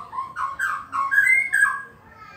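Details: White-rumped shama (Copsychus malabaricus), song: challenging a rival.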